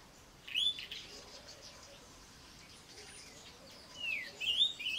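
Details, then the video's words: Garden Cape robin-chat giving two separated high whistled phrases, each a swift downward-sliding note with trilled ends, a quiet gap between them. "CAPE ROBIN-CHAT'S melody, mimicry and scolding"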